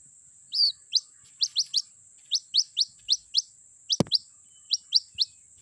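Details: White-breasted waterhen chick calling its mother, played as a lure sound for trapping; short, high, upward-sweeping peeps in irregular runs, a steady thin electronic whine throughout, one low thump near the end.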